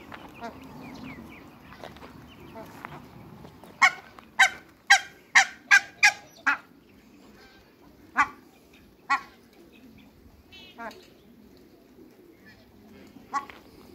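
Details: African geese, two pairs sharing a backyard with Muscovy ducks: after a quiet start, six loud brassy honks come in quick succession, then a few more spaced honks, with soft background chatter between them.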